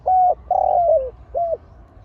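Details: Spotted dove paired against a rival in a Thai dove-contest session, both birds fierce, giving three mellow hollow coos, the middle one longest and sliding downward.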